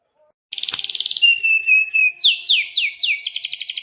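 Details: Energetic canary in breeding condition, sung as a master song for young birds: a buzzy trill, a steady thin whistle, sharp descending swept notes, then a fast rattling roll.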